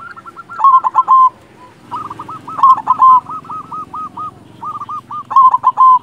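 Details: Local silver zebra dove (perkutut) singing steadily: three phrases, each a string of quick soft coos building into loud, rolled, trilled notes. Pauses of about half a second separate the phrases.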